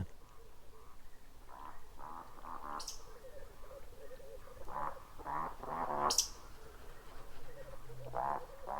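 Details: Eurasian woodcock in Estonia, in its spring roding flight flying high at dusk, gives two bouts of low, croaking grunts, each ending in a sharp, high squeaky 'tsiwick', with a soft low hum underneath.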